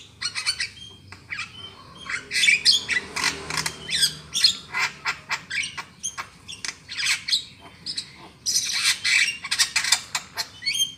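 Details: Black-winged myna calling as a trapping lure: continuous harsh squawking and chattering, loud raspy bursts crowding together, strongest near the start and again toward the end.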